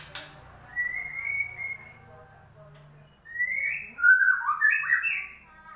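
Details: White-rumped shama lure song to make a bird that has stopped singing sing again: a thin drawn-out whistle, a pause, then a loud tumbling run of rich warbled notes.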